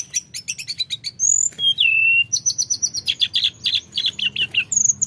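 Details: A mountain flowerpecker gives very high, thin ticking notes in quick bursts, mixed with brief piercing whistles and a short slurred whistle, all rapid and sharp.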